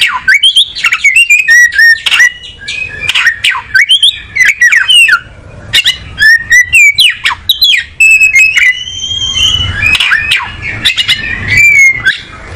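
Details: Oriental magpie-robin song: rapid, richly varied whistles and chattering phrases tumbling one after another, with sharp upslurred notes and a few longer whistled slides near the end.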